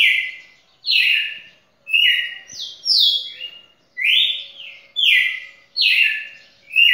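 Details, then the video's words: Singing champion red-cowled cardinal breaking its own record with over two minutes of song; bright whistled phrases, some rising and some falling, repeated roughly every second, with a faint low hum behind. "Galo-de-campina campeão batendo seu próprio recorde passou de dois minutos"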